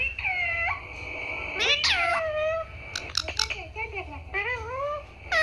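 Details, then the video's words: Parrot talking, imitating the words "Papa" and "Mummy": a run of harmonic, voice-like syllables, some long and falling, others short and wavering, with brief pauses between phrases indoors. "mitthu talking Mummy Papa"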